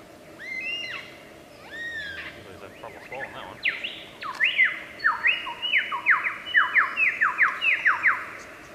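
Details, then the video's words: Wild superb lyrebird in Australia, a mimic of other birds' voices, sings two rising whistled phrases, then a fast, loud run of sweeping descending whistles repeated roughly twice a second, over a low steady background hum. "Burung Peniru Terbaik, Burung lyre kecapi / lyrebird di alam liar"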